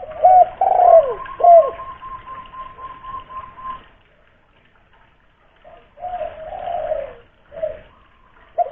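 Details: Loud, hoarse cooing from a local spotted dove lure bird in Kuningan, West Java: several strong slurred coos, a long thin steady note, a pause, then softer coos resuming.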